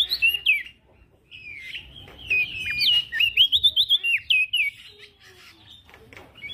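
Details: Male prinia in full song for a training recording: a short opening phrase, a pause, then a long run of swooping, wavering whistles at fairly steady pitch that fades into quiet background chirps.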